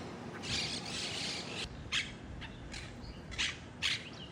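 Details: Wild monk parakeets: a burst of rasping, overlapping chatter for about a second, then isolated sharp squawks spaced roughly half a second apart against a quiet outdoor background.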